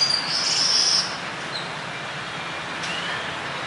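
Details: A long-tailed glossy starling in Bamako, Mali, on 3 September 2020, gives one harsh, squealing, high-pitched call lasting about a second, over a steady background hiss.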